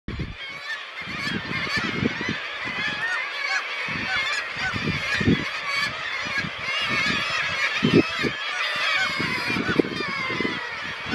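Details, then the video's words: Black-legged kittiwakes at Ekkerøy, Norway, recorded on 2 June 2018. A dense chorus of many overlapping nasal calls fills the air without a break, over low rumbling wind or surf thumps. "Drieteenmeeuw / Black-legged Kittiwake"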